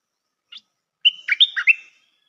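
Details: A single short note, then a rich burst of liquid, warbling notes from a decoy Stripe-throated bulbul, the phrase rising and falling for about a second. No other sound is heard.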